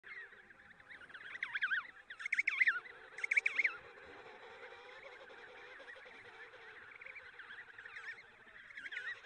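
Emperor penguin chick giving shrill, warbling whistles that wobble up and down, loudest in a few bursts, over a steady chatter of other chicks in the colony.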